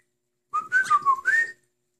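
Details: Singing cockatiel, a playful house pet: one continuous whistled phrase with several linked notes, rising, dipping, then climbing again at the end, loud and clear in a quiet room.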